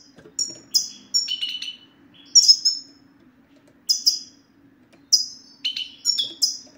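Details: Male European goldfinch in sitsata song, used to coax silent male goldfinches into singing: short clusters of ringing, tinkling chirps and buzzy slurred notes, each burst spaced roughly a second apart, soft background hum.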